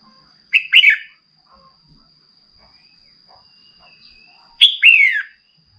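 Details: Female red-whiskered bulbul calling to fire up a male into song: two loud, slurred, downward-sweeping whistled bursts about four seconds apart, each made of quick doubled notes, over a faint steady high tone and near silence.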